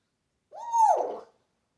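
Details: African grey parrot kept as a pet, mimicking household and animal sounds; a single clear whistled note rising slightly, then sliding down into a breathy, fading hoot lasting under a second.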